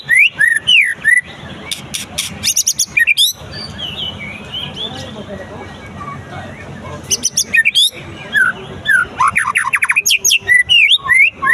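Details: White-rumped shama tested after moulting. Bursts of rapid, loud whistles and sharp chips alternate with a quieter stretch in the middle, then the energetic varied phrases resume.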